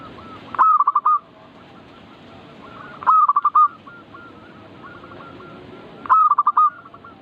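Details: Zebra dove (perkutut) in manggung song to get birds singing eagerly; three loud bursts of rapid clipped coo notes, evenly spaced about every three seconds, with faint trailing coos between them.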